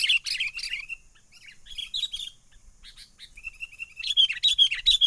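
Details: Sooty-headed bulbul lure call used for trapping birds, a lively 'menggaruda' style said to be genuinely from the wild: fast bursts of sharp, high chirps, some sliding down, broken by short pauses, with a quieter stretch before a dense final run.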